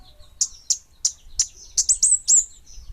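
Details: Kemade Bunga Api bird uttering sharp high chirps at first slowly, then crowding together into a quicker cluster with a couple of slurred whistles.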